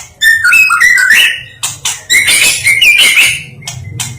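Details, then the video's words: Champion white-rumped shama singing melodiously: rapid varied whistles that dip and rise, followed by a dense burst of high chattering and buzzy notes, then a short clear whistle. "Kicau burung murai batu merdu juara nasional"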